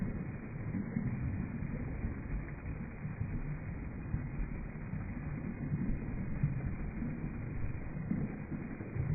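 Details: Muffled low-pitched rumble, like wind or engine noise, continues throughout with no animal voice heard.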